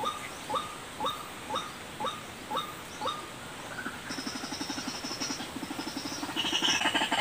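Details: White-breasted waterhen call used as a lure for birds: short hooked notes repeated about twice a second, then turning into a fast, rough pulsed chatter with high buzzy sounds.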